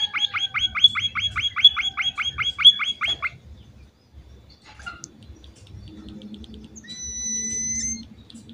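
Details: Munia lure song meant to prompt replies from other munias: about three seconds of quick, regular, falling chirps, then near silence with faint scattered sounds, a low hum and a brief thin whistle near the end.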